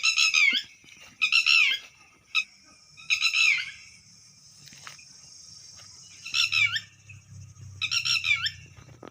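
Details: Red wattlebird giving harsh, raspy, grating bursts about half a second long, repeated five times at uneven gaps over nine seconds, over a steady high hiss and faint low rumble.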